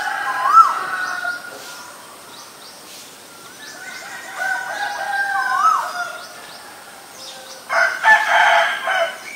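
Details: Asian koel, a male and female pair, calling: short rising whistled notes repeated several times at irregular intervals, with a rooster crowing loudly near the end and other faint bird calls in the background.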